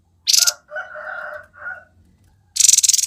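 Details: Grey-headed babbler in lively 'konslet' song: a high buzzy burst, hoarse lower warbling notes in two phrases, then another sharp rattling burst.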